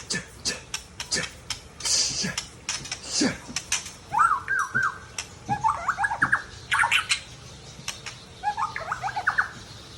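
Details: Mature male white-rumped shama from Tangse, Aceh, singing: short trilled, warbling phrases in repeated bursts, mixed with sharp clicks and tapping sounds throughout.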